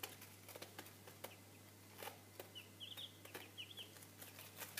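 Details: Little Cochin chicks, three days old and of a Chinese breed, give a cluster of thin, high peeps in the second half, some in rapid doubled bursts, over sharp knocking clicks, rustling and a constant low hum.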